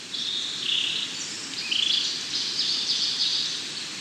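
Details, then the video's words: European robin song, fairly faint, of drawn-out high whistled notes stepping up and down in pitch, heard against a strong, steady hiss. "European Robin - Songs"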